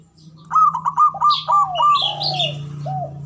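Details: Male zebra dove in ngoar manggung style, a call used to arouse mating excitement: quick stuttering trilled coos sliding into falling, hollow notes, overlapped by higher chirping from another bird and a steady low hum.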